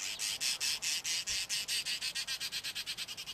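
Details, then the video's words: Male Cape Weaver singing his long, wound-up song: a steady run of harsh, buzzy pulses, about six per second, growing slightly quicker and softer toward the end. "Cape Weaver male singing"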